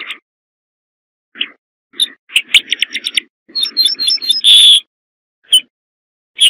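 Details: Corn bunting singing: short ticking notes, then a quickening stutter of bright chips that ends in a drawn-out, shimmering high note, followed by scattered single chips.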